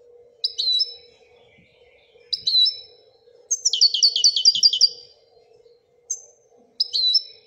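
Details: Moroccan European goldfinch singing in the Wedania style: short twittering double notes, then one long rapid trill of high repeated notes, followed by more brief chirps; a faint low hum continues throughout.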